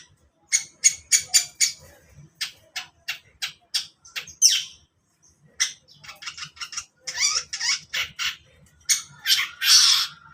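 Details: Long-tailed shrike in the morning delivering a quick series of dry, rasping chips, about two per second, then denser buzzy chatter with rising whistled slurs, ending in a long harsh burst.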